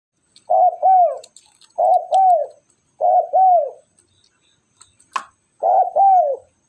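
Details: Spotted dove calling; repeated two-part cooing phrases, each a short coo followed by a longer arched one, given four times about every 1.5 seconds, with a brief click or knock between phrases.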